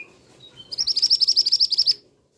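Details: Male scarlet minivet uttering a clean run of about twelve rapid, shrill high notes over roughly one second, preceded by a few faint thin whistles.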